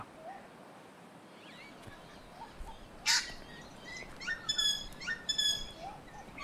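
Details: Little wattlebird at Byron Bay, Australia, giving a harsh, rasping burst followed by a few grating, creaky notes likened to a creaky metal bed frame; faint whistles from other small birds in the background.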